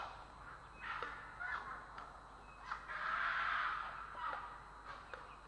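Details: Grey heron in Estonia, recorded 3 April 2017: a few short rasping notes, then a longer hoarse, harsh croak about three seconds in, over steady background hiss.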